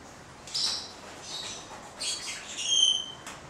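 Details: Two male yellow-thighed white-bellied caiques give a few harsh squawks followed by thin high whistled tones and a sharp click.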